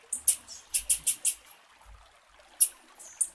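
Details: Female blue-black grassquit call used to stimulate a male to sing: short, very high thin chirps in quick clusters, one group of five near the start and a few more later, over a quiet background.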